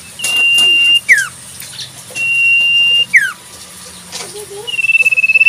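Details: Wild Common Iora performing the sirtu song: level drawn-out whistles each followed by a sharp dropping note, with a lower curved call and a rapid pulsed trill near the end.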